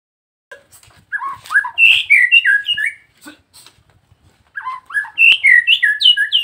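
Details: Nias hill myna, a caged bird in training, gives loud whistled calls: quick runs of clear notes stepping and sliding between mid and high pitch, in two bursts separated by a short pause, with faint clicks between.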